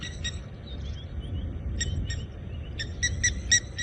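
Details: At sunset on 8 April at a dam in Djuma Game Reserve, Sabi Sand, South Africa, blacksmith lapwings give sharp, metallic 'tink' notes in quick, uneven bursts, with water thick-knees also calling and a low rumble of wind or engine.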